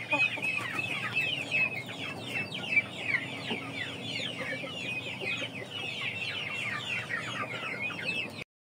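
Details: Hungry chicks before feeding time, a steady shrill chorus of rapid high peeps, roughly two or three a second per caller blending into a constant chatter, ending abruptly.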